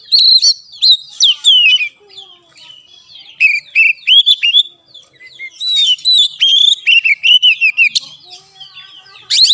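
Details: Caged-bird training song of an Oriental magpie-robin: continuous varied phrases of rising and falling whistles and dry chips, with short breaks between the busy bursts.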